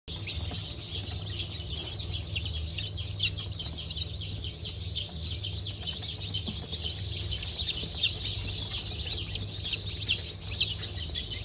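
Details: Newly hatched Brahma and Wyandotte chicken chicks from a hatch on 19 October 2024, many peeping at once in a dense, continuous chorus of high, shrill chirps, over a steady low machine hum.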